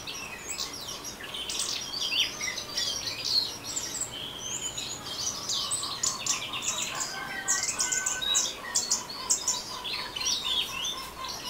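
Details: Scarlet-headed flowerpecker singing in the ngeriwik style: a dense, busy run of high, thin chirps and short twittering notes, fast and varied, with a faint steady hum beneath.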